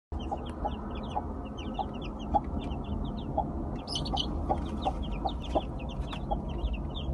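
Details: Newly hatched Gold Brahma chicks from a broody hen, peeping in a chorus of many short, high, downward-slurred cheeps, with a few lower clucking notes and a steady low rumble underneath.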